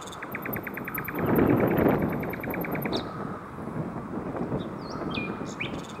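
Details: Nightingale singing around seven in the evening, coast between Hoek van Holland and Scheveningen, Netherlands. A fast, even run of repeated sharp notes lasts about three seconds, then a few high whistles, all under loud continuous rumbling noise.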